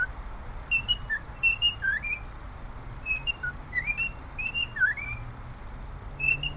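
A cockatiel whistles a lively tune of short clear notes, mostly between two and three kilohertz-high pitches, some rising and sliding, over a low room hum.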